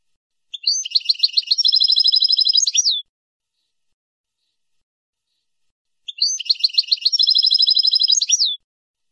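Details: Goldfinch song recorded to train young birds, free of faults: two identical long phrases, each a fast metallic rattling trill about two seconds long ending in a short slurred flourish, repeated after a pause.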